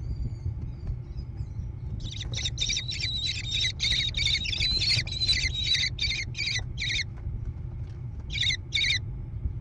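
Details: American kestrel chicks in a gravel-floored nest box on a barn near Prairie du Chien, Wisconsin, USA, 14 June 2022, overlooking meadows: a fast run of harsh, buzzy, high begging notes, two or three per second, then two more, over a low rumble.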